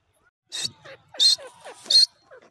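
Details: Grey francolin, female, calling: three loud, harsh, screechy bursts roughly 0.7 seconds apart, with softer, lower, clipped notes between them, in an otherwise quiet setting.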